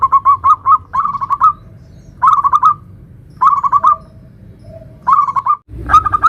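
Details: Zebra dove of a local type singing in the nutut style, used to lure other zebra doves: short rolling bursts of four or five bright coos, repeated at roughly one-second gaps, over a low hum.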